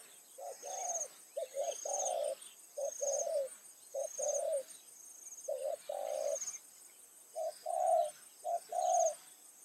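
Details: Decoy spotted dove calling in the evening to lure wild doves. Dense run of low mellow coos, short clipped notes mixed with longer rolling ones, almost without pause. A faint high insect hum continues throughout.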